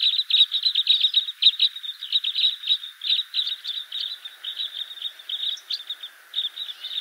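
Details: Red crossbills give a steady stream of sharp, high kip notes, several a second, overlapping in busy chatter, in spruce forest on Poľana, Slovakia, gathered from far around to feed on a plentiful spruce cone crop.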